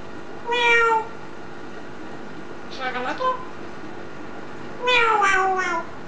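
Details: Green eclectus parrot, a pet, gives three nasal, voice-like utterances over six seconds, each drawn out and falling in pitch, somewhat like a meow, in a quiet room.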